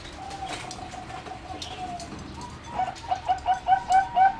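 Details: Bred singing zebra doves kept in a flight cage, 30 April 2014: a long steady whistled tone, then quickening short rising coos, slightly wavering, over light background chatter.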